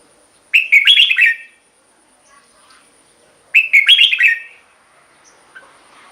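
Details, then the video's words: Red-whiskered bulbul singing, a recording meant for luring or for exciting caged birds. Two lively, chattering, warbled phrases, each under a second long, sound about three seconds apart. Faint soft notes fill the gap. "เสียงนกกรงหัวจุก สำหรับต่อ หรือ เปิดให้นกคึก เสียงเพราะๆ"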